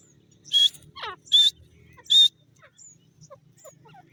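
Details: Jungle teetar, the grey francolin: three loud, harsh, high notes in quick succession, with a short descending chirp from another bird between the first two and faint background twitters.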